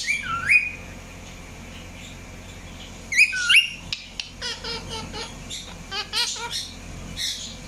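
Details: Indian ringneck parakeet chirping: an opening upswept whistle, a pair of sharp squawky notes, then a quick series of short repeated chirps over a steady low hum.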